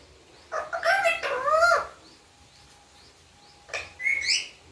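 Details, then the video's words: Pet parrot mimicking the word "papa": two bursts of harsh, harmonic, voice-like syllables with sliding tones, the first around one to two seconds, a shorter rising phrase near the end, quiet room between. "Papa Bolne Wala parrot/Parrot Talking"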